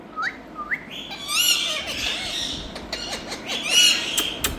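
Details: Parrot calls start with two short rising whistles, then harsh, buzzy, harmonic-rich squawks that swell and fade, with a second loud squawk near the end.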